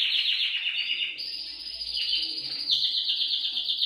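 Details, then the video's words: Canary singing rapid, rattling high trills that shift abruptly in pitch twice over four seconds, with a thin high whistle in the middle. The song is used to prompt other canaries to sing. "TU CANARIO CANTARÁ CON ÉSTE VÍDEO | CANTO CANARIOS"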